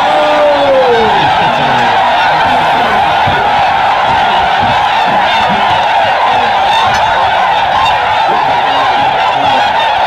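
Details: A huge flock of Tundra swans (Cygnus columbianus), spooked by a deer, takes off at Aylmer Wildlife Management Area, Ontario, Canada, on March 18, 2017. Their high, soft whooping and yelping calls overlap into a continuous clamour.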